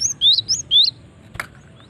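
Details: Female cinereous tit call used for luring: four clear, slurred high whistles in quick sequence, the second and fourth lower and rising, followed by a single brief click.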